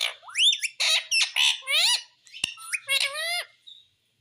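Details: Talking parrot producing dense, rapid squawky syllables with swooping pitch, in a string of loud bursts over about three and a half seconds before falling quiet.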